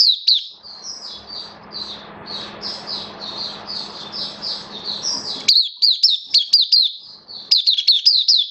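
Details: Hobby-kept oriental white-eye singing on 11 September 2022, its form said to have dipped a little: smeared high warbling notes over a steady low hum give way to crisp, rapid down-slurred chirps repeated in quick succession.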